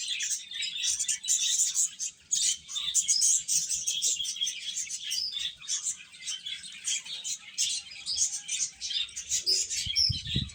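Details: Several baby chicks chirp nonstop while feeding, a thick wash of high overlapping peeps with a short low thump near the end.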